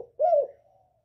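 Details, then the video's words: Northern spotted dove, 'còi bổi' voice used to provoke other birds: one brief smooth coo note, slightly falling at the end, with a faint trailing tone. "Chim cu gáy giọng còi bổi ghét kích chim rất hiệu quả, cu gáy miền bắc"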